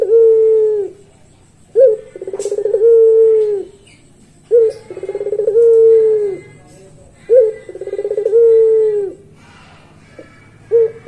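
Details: A Barbary dove of the pelung type gives its long song in regular phrases about 2.8 seconds apart. Each phrase is an abrupt note, then a fast throbbing trill, then a mellow low coo curving downward.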